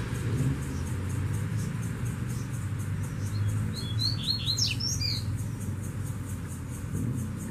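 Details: Strong brown-plumaged double-collared seedeater in scrubland, swooping low and appearing during handling with a female; a brief burst of high, quick chirps and short sliding whistles midway, over a constant low engine-like rumble.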